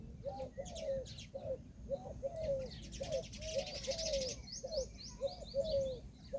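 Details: Peahen of the Indian peafowl calling in a run of short, clipped, downward-curving honks, often doubled, spaced irregularly over several seconds, while small birds chirp and trill high above and a low background rumble continues.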